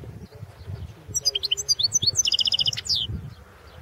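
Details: Goldfinch song from a 2016 world championship competition entry: a chain of high, tinkling chirps running into a fast series of repeated buzzy notes, closing with a few sharp descending notes, low hum beneath.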